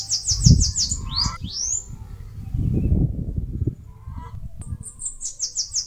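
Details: Singing Bananaquit (caga-sebo) at its nest in a mandacaru cactus in northeastern Brazil: rapid high, thin notes running into upward-sweeping whistles, a brief pause, then another fast high trill, above a low rumble.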